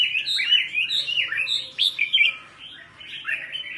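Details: Caged red-whiskered bulbul being trained in morning song in the double-note old-forest style. It gives rich, rapid warbled phrases of slurred whistles, rising and falling, in a near-continuous run.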